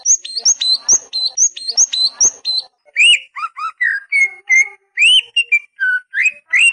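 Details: Greater green leafbird song used to make young birds sing: high thin whistled notes in quick succession, shifting to lower rising slurs and steady whistles with short gaps.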